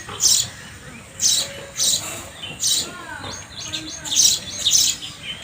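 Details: Sparrow chirping, short bright broadband chirps delivered singly or in pairs roughly every half second to second, with faint background murmur.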